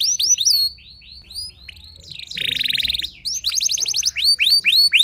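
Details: Canary singing to goad other canaries: a string of falling whistled notes, a brief lull, then a dense buzzy trill followed by rapid repeated swooping chirps.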